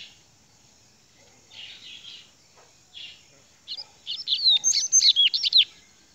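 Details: Rusty-collared seedeater opening with a few soft buzzy notes, then breaking into a rapid, loud sequence of about a dozen sharp, high, slurred whistled chirps.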